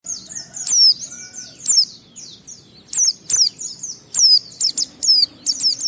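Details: White-eye song, used to provoke other white-eyes into singing: rapid high thin whistled notes, each sweeping downward, in loose bursts with echoing fainter notes between and a low background hum.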